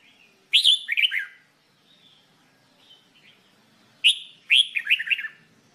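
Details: Red-whiskered bulbul singing during song training: two loud, bright phrases about three and a half seconds apart, each opening with a sharp rising whistle and followed by a quick run of warbled, bubbling notes. Quiet background.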